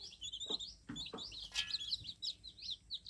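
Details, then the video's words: Dense chorus of shrill, piping cheeps from several baby chicks just hatched, notes tumbling rapidly together, with a few dull knocks beneath. "Young Chicks Cheeping| Fluffy Chicks| Baby Chicks Just Hatched Cheep Cheep Sound Effect"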